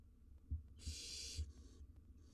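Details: Barn owl nestlings, wild birds in a research nest box, grooming each other: one sustained breathy hiss lasting about half a second, followed by a fainter echo-like hiss, with soft low thumps and a rumbling background.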